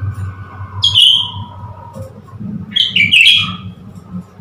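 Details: Recently acquired Blue-winged leafbird tricked into displaying at a mirror, 10 February 2021: two bursts of loud, shrill, slurred whistles about two seconds apart, with softer lower tones between them and a low background hum.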